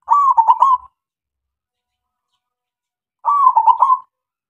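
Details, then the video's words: Zebra dove of the local type (perkutut lokal), loud lure song to make other doves sing: two clear, stuttering coo phrases about three seconds apart, with quiet in between. "SUARA PERKUTUT LOKAL SUPER GACOR MEMANCING SEMUA KUTUT DIAM"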